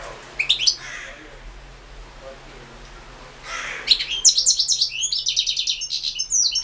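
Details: Competition recording of a European goldfinch, 2016 internet song championship entry. A few sharp chirps come first, then a quiet gap. From about four seconds the bird launches into fast, tinkling, high twittered phrases.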